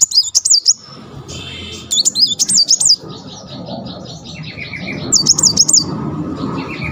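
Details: Kolibri Muncang (brown-throated sunbird) wagging its tail while singing its "tembakan" shooting-style song: three bursts of very high, rapid zigzag whistled trills separated by pauses, with a low background hum.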